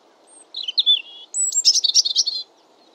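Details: Song of a European robin: a thin high opening whistle, wavering sweet notes, then a fast tumbling twittering run, loud and clear over near silence.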